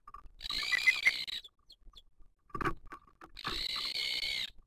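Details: Booted eagle at the nest in 2023 while the female feeds the chick: two harsh hissing screeches with a short sharp crackle between them and a few soft low peeps.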